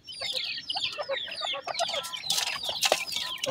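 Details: Grey francolin (teetar) chicks, a new pair, giving many short high peeping chirps, some rising and some falling, in quick overlapping bursts, with rustling and scratching noise in between.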